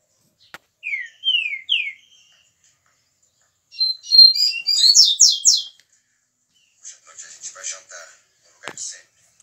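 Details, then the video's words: Green-winged Saltator (trinca-ferro mineiro), a 22-year-old bird, singing: three clear slurred whistles falling in pitch, then a pause and a louder burst of rapid high, sharp notes, followed by softer scratchy twitters and a click. "Trinca ferro Mineiro 22 anos cantando"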